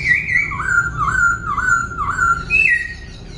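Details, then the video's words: Caged laughingthrush singing while dancing, changing its voice continuously: a clear fluid whistle wavering up and down in smooth loops, opening on a high note and ending with a brief rising flourish, over low hum. "Khướu vừa hót vừa múa , Đảo giọng liên tục"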